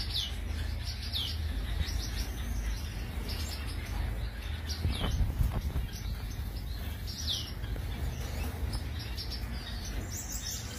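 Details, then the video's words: Finch giving short, high, downward-sweeping chirps, repeated roughly once a second in loose bursts over a steady low rumble of background noise. "Finch Bird Sound"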